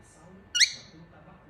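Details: A pet cockatiel trying to keep his mirror gives one brief, bright chirp that sweeps upward, over a faint indoor hum.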